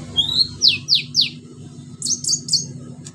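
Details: Lively orange-headed thrush song with mimicked fill-ins, played as a lure to stir silent thrushes into singing: a thin whistle, then four quick descending whistled sweeps, followed by three buzzy high notes over a steady low hum.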